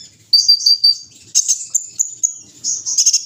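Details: Morning dewing of a kolibri ninja (olive-backed sunbird): after a short quiet start, a few pure high whistles, then a loud buzzy burst and a run of clipped sharp chirps.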